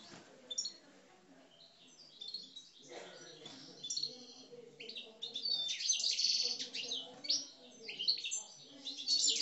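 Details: Caged Algerian parva European goldfinches singing aggressively: dense, rapid high twittering and tinkling phrases that build into a loud, continuous jumble of bright notes, with a low murmur in the background.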